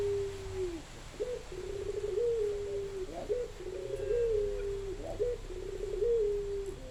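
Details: Spotted dove song: a chain of soft low coos with short rising lead-in notes and long level tones falling at their ends, repeated several times against a quiet hum.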